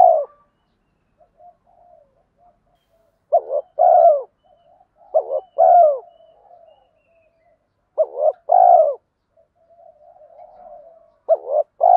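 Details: Spotted dove calls, male and female, used to stimulate other doves: short low cooing phrases, two or three hollow coos each, repeated every couple of seconds with quiet gaps and soft murmurs between.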